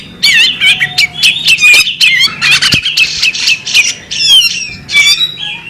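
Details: A female bearded magpie robin sings rapidly, mixing bright whistled notes, rising and falling slurs and short buzzy chirps in tight bursts, with a low background hum.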